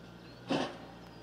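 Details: Common goldeneye at Lake Cerknica, 23 March 2023: one short, nasal, buzzy note lasting about a tenth of a second, against faint background hiss.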